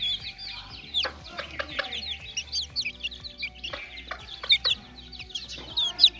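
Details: Young chickens at play: many short, high-pitched chirps tumbling over one another in irregular clusters, with a few louder peeps standing out and a soft low thumping beat in the background.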